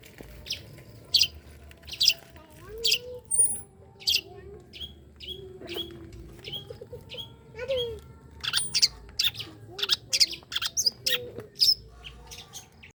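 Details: Long-tailed shrike delivering a varied run of sharp high chips, harsh scratchy bursts and a few quieter lower slurred notes, irregularly spaced, over a faint low hum.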